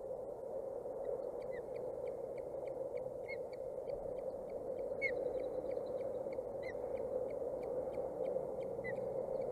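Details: Two young ospreys, 29 and 27 days old, teetering on a Boulder County nest, caught by a nest cam on 14 June 2019: rapid, regular thin high chirps about twice a second, with some louder bent notes, over constant low rushing noise.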